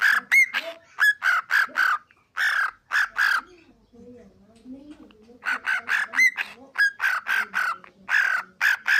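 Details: Cockatiel talking at home in long rapid runs of bright, nasal syllables, with short upward whistled notes mixed in. A quiet stretch in the middle carries soft human speech, close to the Turkish words "bolalım, bolalım".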